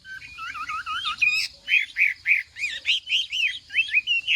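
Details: Chinese hwamei training its voice in morning contest singing: a few low liquid warbles, then loud, ringing whistled notes delivered rhythmically about three per second.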